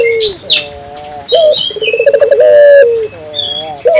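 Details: African collared dove calling vigorously as a lure to stir local doves into calling: rapid purring pulses building into a long, steady, slightly falling coo, then wavering triple notes, with higher chirps of small birds in the background.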